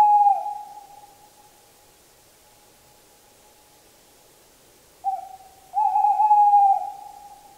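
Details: Tawny owl (Strix aluco) song: a smooth, mid-pitched hoot, then after a long pause a short note and a longer, slightly wavering hoot, over a quiet background.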